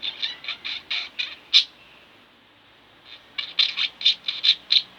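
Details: Two pet budgies chirping indoors in quick scratchy bursts, one sharp squeak in the middle, then a pause of about a second and a half before the chattering resumes with several louder notes.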